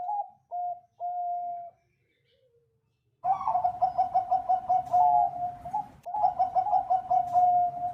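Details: Bangkok-type zebra dove singing persistently in a so-called crystal voice, recorded as tutor song for other birds: three short clear coos, a pause, then a long, rapid, rolling burble of mellow notes, briefly broken, then resuming.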